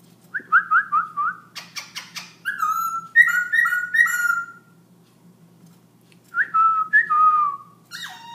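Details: Black-throated laughingthrush singing without pause at 11pm: sequences of short, clear, descending whistles in twos and threes, broken by a burst of dry rattling clicks, then more paired whistles.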